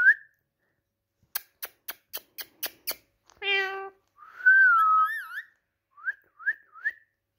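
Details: Indian ringneck parakeet talking, starting with a series of sharp clicks, then a short nasal harmonic syllable, a long wavering whistled phrase and three quick rising chirps.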